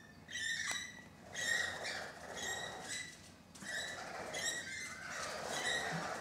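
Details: Rainbow lorikeets on a balcony, about thirteen birds present, giving overlapping harsh, screechy chattering calls in rapid bursts, with several birds calling at once and short pauses between flurries; faint background hum.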